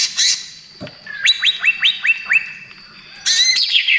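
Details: Greater green leafbird singing, its song played to lure and calm other birds: a loud opening burst, then six clear whistled notes, each rising sharply, spaced about a quarter second apart, and a final twittering flourish.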